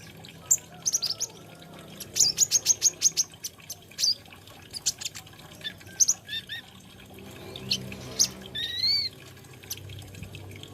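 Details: Olive-backed sunbird singing a varied song full of fill-in phrases: a fast run of sharp, evenly spaced high chips, then scattered squeaky whistles and a brief rising note near the end, with a soft background rumble.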